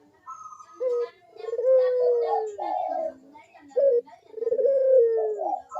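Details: Barbary dove in full cooing, used as a lure for doves that are slow to call: short clipped note, a long smooth descending coo, another brief note, then a second drawn-out coo.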